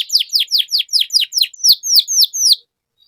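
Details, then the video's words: Lively canary singing to spur quiet canaries: a string of loud, high down-sliding whistled notes, about four per second, slowing slightly toward the end before stopping. "Kenari Gacor Menuntun Kenari Macet Jadi Bunyi Kembali, Pancingan Jitu Ampuh Bikin Gacor Panjang"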